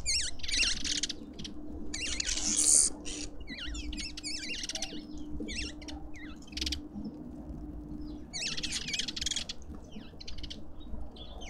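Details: Lovebirds calling at a garden feeder in suburban Pretoria, South Africa: thin, high chirps and zippy squeaks packed into dense bursts with brief quieter gaps, over a faint low hum.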